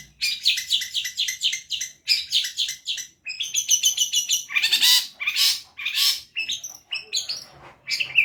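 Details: Long-tailed shrike, locally called cendet, in full energetic song: rapid repeated harsh chattering notes in bursts, with scratchy squawks and varied mimicked phrases, loud and continuous, high-pitched throughout.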